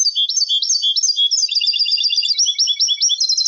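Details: Continuous high, lively twittering from a European goldfinch hybrid, with quick repeated rising notes flowing into a steady rippling trill, sung as a lesson song for young birds.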